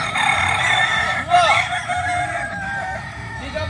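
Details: Several kukuak balenggek roosters at a training competition, a steady blend of drawn-out crows with one clear arched note rising and falling midway, followed by level sustained tones fading toward the end.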